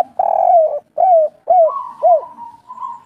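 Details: Spotted dove of the local type, sung in the three-note 'kuk 3' style and used to spur other doves into calling. Low, mellow coos: one long, slightly falling note, then shorter down-slurred coos, fading into a faint drawn-out hum.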